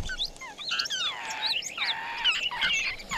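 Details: Wild laughingthrush parents caring for chicks at their nest in the rain: a dense tangle of high chirps, slurred whistles and falling squeaky notes from several birds, nearly continuous for three seconds.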